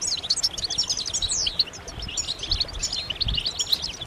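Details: Several European goldfinches give group chirps and mating calls meant to stir males into singing: dense, high, rapid twittering with sharp slurred notes and a few long downward sweeps, over faint low rumble.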